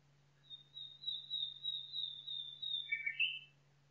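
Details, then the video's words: Nightingale song in woodland. A long, level, high whistled note is held for over two seconds with a faint pulsing, then breaks into brief harsher chattering notes. A constant low hum runs underneath. "Пение Соловья в лесу Singing Nightingale in the forest"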